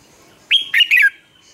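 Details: Vietnamese lure red-whiskered bulbul singing to coach caged and newly caught bulbuls: a single loud, lively phrase of three quick notes, a clear whistled opening then two warbling, slurred notes, over faint background hiss.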